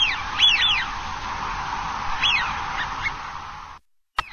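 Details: Eurasian wigeon (Anas penelope), a common winter visitor, at Dapeng Bay on 26 November 2018, giving clear, high whistled 'wheeoo' calls that rise then fall, a quick pair then two single whistles, over a steady surf-like rushing hiss.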